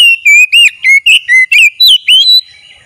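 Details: Oriental magpie-robin (kacer) at full strength in daily training: eight or nine loud whistled notes in quick succession, some swooping up and down, others flat, clean with no background sound.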